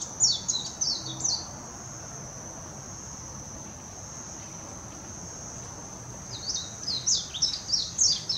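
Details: Warbling white-eye in Hashimoto, Wakayama Prefecture, Japan, 26 June 2021, Nikon Coolpix P900 recording: a short burst of fast high twittering, then several seconds of only a steady shrill drone, then the twittering song returns.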